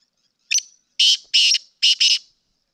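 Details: Sindhi black francolin giving one clean call: a short sharp note, a pause, then two loud rasping buzzes and a fast doubled buzz, all harsh and high-pitched.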